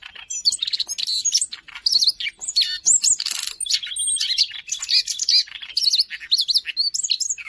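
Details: Siberian rubythroat singing nonstop, recorded in Jakarta in March 2025 as training song for other cage birds. It pours out a rich, crowded jumble of high whistles, buzzy trills, chattering phrases and a short run of evenly repeated notes.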